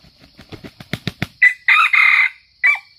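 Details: Red junglefowl from Sumatra, crow used as a lure for trapping: a run of quick dull taps speeding up, then a loud, harsh, broken crow in several bursts ending in a short clipped note, over a steady high insect hum.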